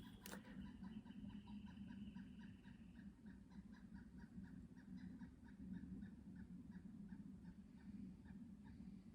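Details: A Pileated Woodpecker heard on a hike near huckleberry bushes gives a long, steady series of hollow, clucking notes, about three per second, over low rumbling wind.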